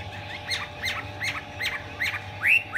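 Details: Chinese hwamei singing in the spread-tail 'hót xòe' style with an 'eagle wing' display: short upswept whistled notes repeated about three times a second, fairly soft, over a steady low electrical hum.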